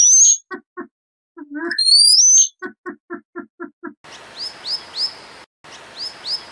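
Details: Forest bird recording stitched from several pieces: a high squeaky whistle, a rapid string of short clicking pulses, then repeated thin downslurred chirps over a hiss.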